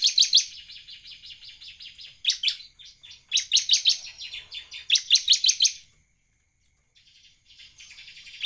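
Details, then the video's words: Bar-winged prinia in full song, used to lure other prinias: high, dry chipping notes repeated rapidly in loud groups, separated by softer trilling passages, ending with a short silence and faint chatter. "CIBLEK GACOR buat pancingan ciblek AGAR NEMBAK"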